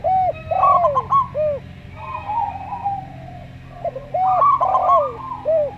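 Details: Slow-singing local zebra dove over a calm Javan derkuku: hooked low coos and a descending drawn-out note, a softer quavering passage, then the hooked coos and rolling phrase return.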